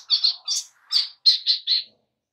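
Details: Oriental magpie-robin singing on a lure track meant to make birds sing: six or seven short, bright chirped phrases in quick succession, some slurred and slightly scratchy.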